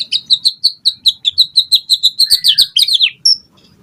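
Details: White-rumped shama song meant to prompt other birds to reply: a steady series of about sixteen high, sharp chirps evenly spaced, ending in a tangled flourish and a thin whistle.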